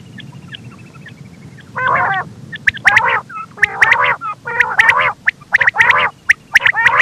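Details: Repeated quail calls: rough, gargling bursts alternating with bright, sharp pips, growing denser and faster toward the end over a low background hum.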